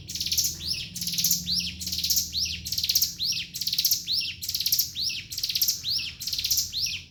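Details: Ngebren song of a Javan sunbird, an unbroken series of high, rasping, buzzy phrases with sweeping downward hooks, evenly repeated roughly every 0.8 seconds.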